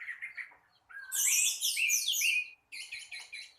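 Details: Orange-headed thrush singing in the morning: soft warbled notes near the start, then a loud dense burst of high, rapid, jumbled twittering phrases, a short pause, and a final run of quick repeated chirps.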